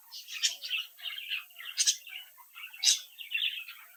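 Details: Captive-bred budgerigar youngsters sing and chatter, an unbroken warbling stream of high chirps and squeaky notes, punctuated by a few sharp loud calls, with several birds sounding together.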